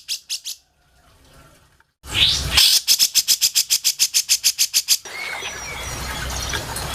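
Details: Grey-cheeked bulbul song used as a master recording for training songbirds: two quick bright notes, a pause, then a fast run of about fifteen sharp, high, evenly repeated chattering notes, ending in faint background noise.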